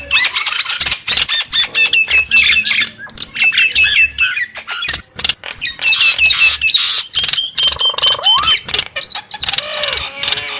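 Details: Loud Nias hill myna song with rapid harsh bursts, looping high whistles and a clear rising whistle near the end, continuous and energetic.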